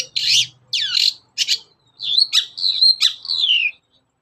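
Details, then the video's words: Long-tailed shrike morning song as a lure for other shrikes: grating harsh notes and looping sweeps give way to a run of sharper whistled notes ending in a long falling whistle. "SUARA PANCINGAN BURUNG CENDET GACOR PAGI HARI"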